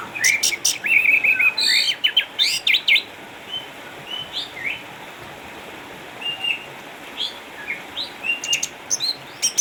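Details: Home-kept Orange-headed thrush from Sukabumi, Indonesia, eight years old, a retired contest champion with cataracts, still singing busily: dense run of sharp high chirps and warbled whistles at first, then softer scattered notes with occasional bright bursts.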